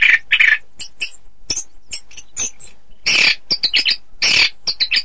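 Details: Orange-headed thrush singing for song-contest training: loud scratchy bursts alternating with short high chirps and whistles in an uneven, chattering rhythm.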